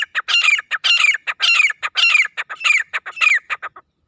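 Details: Loud call of a wild grey francolin (teetar): a steady run of ringing, harsh, high phrases, about six in four seconds, each carrying a slurred falling note, linked by short clipped notes in a brisk rhythm.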